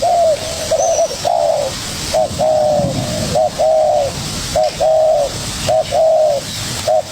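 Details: Young spotted dove challenging a decoy bird. It calls with steady rounds of deep coos, a quick short note leading into a long even one, repeated roughly every second or so, with light background noise.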